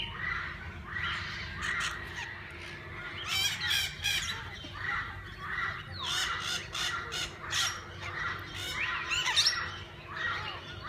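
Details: Parakeets of various kinds in a walk-in aviary, fed and handled by visitors, keep up continuous busy chatter with repeated raucous squawks in clusters, several loud harsh bursts standing out, over a faint steady low drone.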